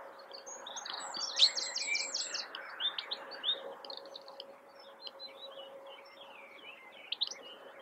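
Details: Goldfinch perched in blackthorn during April 2021, giving a bright twittering song of rapid chirps and a buzzy trill early on, then scattered liquid notes, over a constant low background hum.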